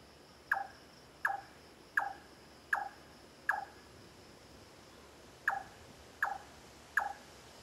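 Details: A Large-tailed nightjar in Singapore on 9 March 2014 gives hollow, knocking 'chonk' notes, evenly spaced under a second apart: five in a row, a pause, then three more, over a faint steady hiss.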